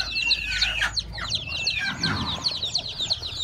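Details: Hen-hatched chicks newly born on a farm peep loudly: bright, piercing downward-slurred notes, some clearer single peeps standing out above a busy overlapping chorus, with a brief rustle midway.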